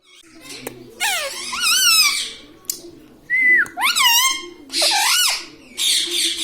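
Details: Talking pet parrot said to say "mummy papa": loud, harsh speech-like phrases with wavering harmonics, one clear whistled note sliding down, sounded in bursts indoors.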